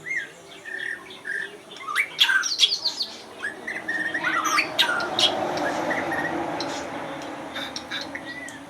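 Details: Oriental magpie-robin (local name binla) singing varied whistled phrases and scratchy notes, busy at first, then fading into a steady background hiss.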